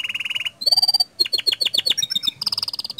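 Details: Canary singing to draw other canaries into song: a buzzy rolled trill, a pure held whistle, then rapid dropping chirps and a high rattling roll.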